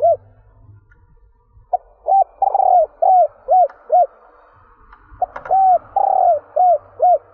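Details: Female spotted dove cooing to rouse males, two phrases each built from a brief note, a smooth coo, a stuttering long note and three quick arched coos, over a faint hum and light background noise.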